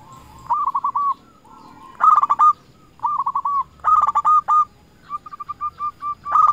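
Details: Local zebra dove (perkutut) singing to call rivals as a lure: alternating cooing phrases, soft quick runs answered by louder hooked bursts, roughly every second.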